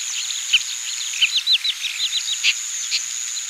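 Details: Quick run of sharp, slightly downslurred chirps from Oriental pratincoles in Pingtung County, Taiwan, 20 April 2017, with a few louder notes and a steady high-pitched insect drone.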